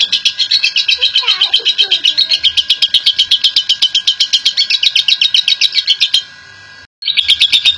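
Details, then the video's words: National champion lovebird in long ngekek song, used to coax other lovebirds into singing; loud, grating chatter pulsing about four times a second, briefly fading and cutting to silence near the end before resuming. "Aksi Ngekek Panjang Burung Love Bird !!! Pemancing Love Bird"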